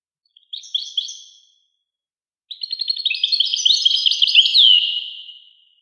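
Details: A brief two-part twitter from a European goldfinch, then a pause, then a longer bubbling phrase of rapid chirps and trills rising in loudness, ending in a swooping descending note.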